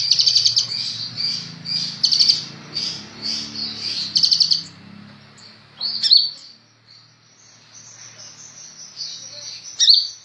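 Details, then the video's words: Sunbird (kolibri ninja) singing actively for use as a tutor recording: bursts of fast high rattling trills, each about a second long, alternate with thin drawn-out whistles and softer notes, over faint low hum. "Burung Kolibri ninja super gacor cocok buat masteran"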